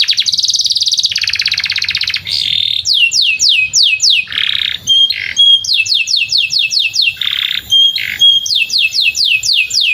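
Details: Canary song used to teach young canaries to sing, recorded beside a field: long loud rolling trills and rapid series of descending whistled notes repeated in quick runs, with buzzy chattering bursts between, continuous throughout.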